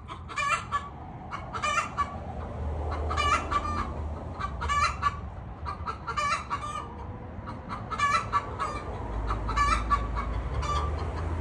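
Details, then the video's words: Feral hens, four in a yard all laying, squabble over a single shared nest while a predator watches; harsh rasping clucks and squawks in irregular bursts every second or two over a steady low rumble. "Gallinas salvajes pelean por único nido"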